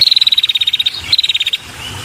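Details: Female red-headed prinia calling to attract males: a fast rattling run of about fifteen high buzzy ticks, then a shorter second rattle of similar notes.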